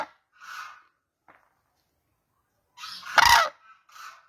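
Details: Mostly quiet crane sounds: soft, muffled notes at the start, then one loud, harsh trumpet call near the end, closed by a faint, lower note.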